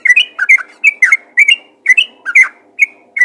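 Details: Bright, bouncing chirps in quick pairs from a yellow-vented bulbul calling others of its kind, each burst rising and falling, repeated steadily over a soft background hum.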